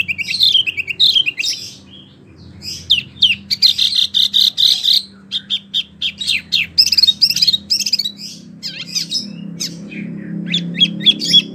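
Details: Mini wambie in lively song for teaching competition birds, pouring out a long, dense stream of high chirps and trills with scarcely any gaps, faint low background hum beneath.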